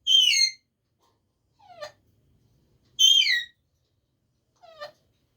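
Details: Talking pet parrot; two loud, clear, harmonic-rich falling phrases about three seconds apart, each followed by a softer, lower, sliding note, with silence between.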